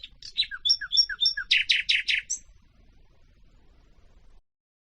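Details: Common nightingale (Luscinia megarhynchos) song: a fast phrase of clear whistled notes dropping in pitch, then five loud, rasping notes in quick succession, all within about two seconds.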